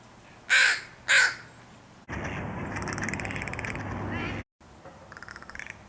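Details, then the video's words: Crow giving a clacking, clicking rattle call, as made in close exchanges with another crow, usually during mating or when interacting with a young bird: two loud harsh caw-like notes, then about two seconds of dense rapid clicking, then softer notes. "Crow Clacking Clicking Sound"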